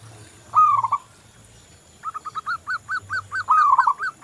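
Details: Local zebra dove in vigorous song, used as a lure for other doves: one trilled coo phrase, a pause, then a quickening run of short pulsed coos ending in another trilled phrase.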